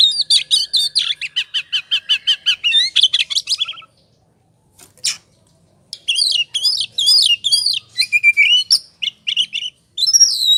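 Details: Oriental magpie-robin 'ngobra' song serving as a lure to provoke singing: a fast series of rhythmic chirps, a near-silent gap of about two seconds, then varied looping whistles and sharp notes.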